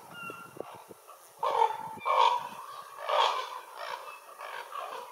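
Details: Raven croaking in a series of four or five loud, harsh, grating calls about a second apart, preceded by a faint thin whistle.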